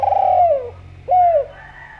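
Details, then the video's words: Javan spotted dove cooing, used as a lure to make other doves call: two mellow, fairly loud coo notes, each sliding gently downward, separated by a short pause. "Derkuku Jawa Gacor Suara Merdu, Ampuh Buat Pancingan"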